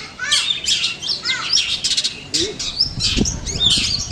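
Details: Long-tailed shrike singing at a training competition in Manden: rapid high squeaky and harsh notes, thick and continuous, with background noise from the event.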